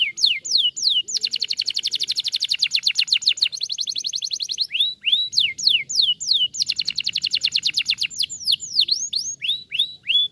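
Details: Canary singing to stimulate other canaries into song: clear sweeping whistles lead into long rapid rolling trills, repeated twice, each trill lasting a few seconds, ending in quick looping whistled notes.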